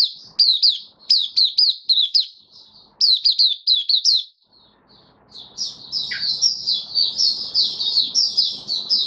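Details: Kept white-eye singing buka sing style after regular deworming and supplements, dated 18 May 2022; crisp high chirp clusters at first, then a pause and a rushing, continuous twittered warble.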